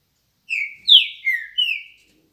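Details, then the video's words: Green-winged saltator (trinca-ferro) singing in the morning: four loud, clear whistled notes, the first level, the second sliding down steeply, the last two slurring downward, all within under two seconds, with silence around them. "Trinca ferro dando show logo de manhã"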